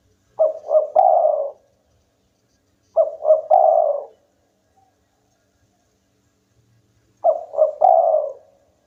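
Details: Local spotted dove in full, frequent song: three cooing phrases, each of two quick notes and a longer, throaty purring coo, spaced about three seconds apart in quiet surroundings.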